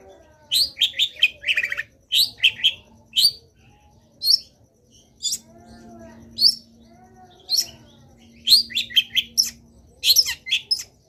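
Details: Long-tailed shrike in energetic song full of varied fill phrases: clustered harsh high notes in fast groups, isolated sharp chirps between, and a brief quieter stretch midway, over a faint low hum.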